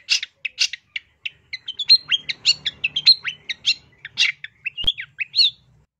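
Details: Long-tailed shrike training-master song: a dense, fast chattering run of varied chirps, short whistles and clipped notes, almost continuous, with one sharp click partway through.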